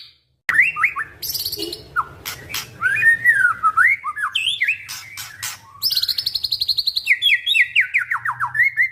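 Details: White-rumped shama song: varied rich whistled phrases wandering up and down, mixed with high rapid trills and a fast run of repeated notes near the end, over a low steady hum.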